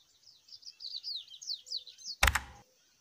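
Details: Wild coleirinho (double-collared seedeater) giving the 'mateiro' song style in nature: a fast run of high, sweet slurred notes, each a quick up-down twist, for about two seconds, then a loud broadband knock.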